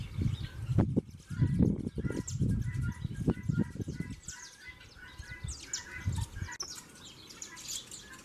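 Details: Saffron finches, worked up and fighting as the breeding season approaches; heavy low thumping and scuffling dominate the first half, then quick high chirps and short downslurred notes continue in a steady jumble.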